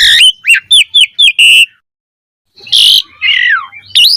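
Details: Energetic Asian pied starling song in the mompa style: five clipped rising whistles in quick succession, a short pause, then a harsh burst, a wavering downward whistle and a final upslurred squeal.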